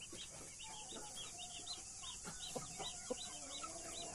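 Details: Blue hen with Australorp and Brahma chicks: chicks' high rising peeps repeat throughout, with a few soft low clucks from the hen and constant background hiss.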